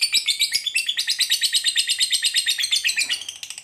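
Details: Lovebird in long ngekek chatter with tight spacing, played to lure other lovebirds into song: a dense stream of harsh, buzzy high notes, steady in pace, easing off at the end.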